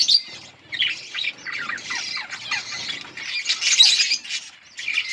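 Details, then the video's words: Budgies in a group chirping: bright, scratchy, high chatter and squawks overlapping in quick bursts, louder toward the end, a constant mingled flock noise. "Budgies parrot beautiful colour budgies chirping sounds"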